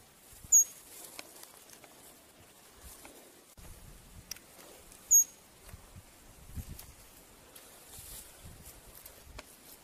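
Green-bearded helmetcrest giving two very high, thin, sharp call notes about four and a half seconds apart, over faint rustling and soft background noise.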